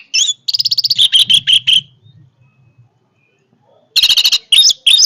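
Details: Orange-headed thrush delivering a strong song: a fast pulsing trill of high notes flows into emphatic slurred whistles. After a quiet gap with a soft low rumble, a new burst of rapid notes begins.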